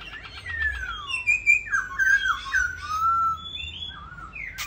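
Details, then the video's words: A captive Black-throated Laughingthrush, singing well and dancing, gives loud, rich whistled phrases that slide downward and waver, with a few quick chattering notes in between. "Khướu mun hót hay"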